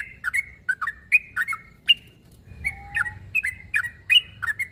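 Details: Sooty-headed bulbul calling a rival with irregular bubbly chirps and short whistles, a quick pause, a thin lower steady whistle near the middle, then more chirping.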